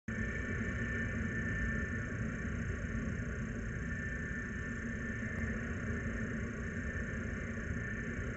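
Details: Continuous low rumble with constant hiss above it, one faint click midway, and no animal sound present.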